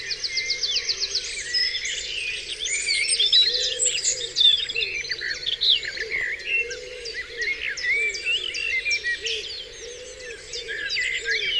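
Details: Birds in a dawn chorus on Dewlands Common, several voices overlapping in busy high trills, rapid repeated notes and sweeping whistles, with a faint steady hum and low wavering tone underneath.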